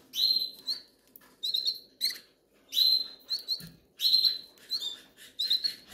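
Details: Hungry young goldfinches begging, Canary Islands: high, thin, slightly rising chirps in tight clusters, about four bursts per two seconds, with a soft thump midway.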